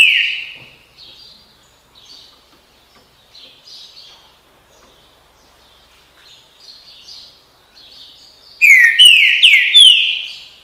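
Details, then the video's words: Green-winged saltator giving its "bom dia seu chico" song style near the end: a burst of four rich, downslurred whistles after a long stretch of faint, scattered chirps from other small birds. "canto trinca ferro bom dia seu chico"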